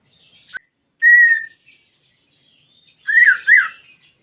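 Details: Greater green leafbird, a pet bird, song used as therapy for a bird that will not sing: a few separate notes, a clear level whistle, then a pair of loud slurred whistles after a pause.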